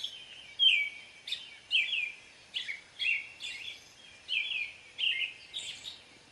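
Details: American robin singing a series of short warbled phrases, each a quick rising-falling carol repeated about every half second to second, fairly high and clear over light background hiss.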